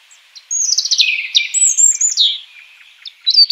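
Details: European robin singing in the wild: a high, thin phrase of quick descending trills and sweet whistles, then a pause and a brief high flourish.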